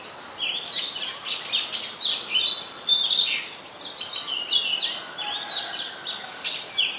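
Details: Oriental magpie-robin song from Ubon Ratchathani, Thailand, 3 February 2023, where it is a very common resident; recorded on a Nikon P1000. Rapid, varied run of sweet whistles, slurred notes and short trills in steady succession over faint background hiss.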